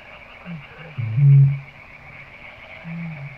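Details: A single low, muffled boom from a Eurasian bittern, introduced by soft grunting notes, with a faint steady hum throughout.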